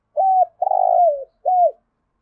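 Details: A single loud spotted dove phrase in the Thổ style, used to rouse newly caught caged birds to call and spar: short arched coo, drawn-out vibrating coo that falls away, then a final arched coo.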